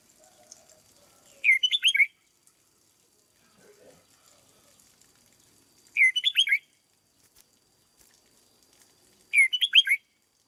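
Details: Caged Red-whiskered bulbul kept as a decoy bird and being conditioned into peak singing form, Vietnam; three short bursts of bright, liquid whistled notes, each about half a second long, separated by pauses of roughly four seconds. The background is quiet.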